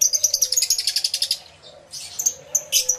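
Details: Crowd of aviary lovebirds, captured with two external microphones on a camera: a quick run of evenly repeated shrill chirps for about a second, a pause, then harsher squeaky bursts.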